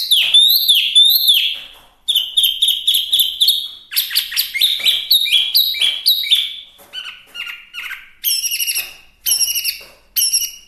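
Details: Chinese hwamei singing vigorously, pouring out rapid, varied phrases: quick rising whistles, clusters of sharp chirps and repeated short notes, in bursts separated by brief pauses, rich and high-pitched throughout.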